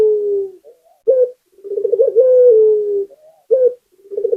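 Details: Local puter dove calling steadily: a coo ending, then a sharp short note, a rolled trill building into a long smooth coo that eases downward, and the next phrase already starting.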